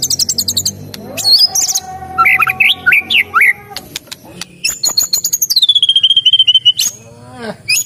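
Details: White-rumped shama singing a rich, varied song: clear whistles, rapid trills and sweeping slurred notes, some rising and falling phrases, bursts of fast chattering notes near the end, delivered loudly with short pauses between phrases.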